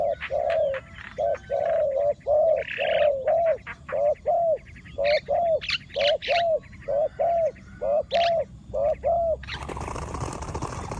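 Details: Decoy spotted dove cooing to lure wild doves. Long, rapid series of strong coos, about one per second, with high chirps from other birds. A burst of broad rustling noise comes at the end.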